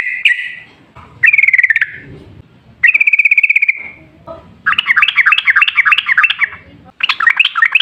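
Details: Sooty-headed bulbul, a wild forest bird in full rapid-fire song, used as a lure to make other bulbuls sing: short bright chattering notes and brief trills, then a long run of bubbly looping phrases repeated quickly.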